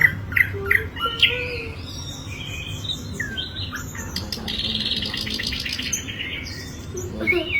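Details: An Asian brown flycatcher gives bright chips and short slurred whistles, then a long buzzy wheezing passage and a final sharp note, over faint low hum.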